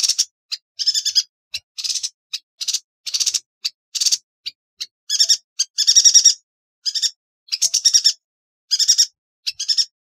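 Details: Yuhina song used for training songbirds as a master tutor: bursts of sharp, high chattering notes packed with harmonics, delivered in short clustered phrases with brief gaps, spread over about ten seconds without other clear sounds.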